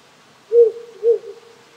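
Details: Wild owl hooting after dark from hills around a Japanese countryside home: a low hoot, then a second about half a second later, each soft and round, with a murmuring brook in the background.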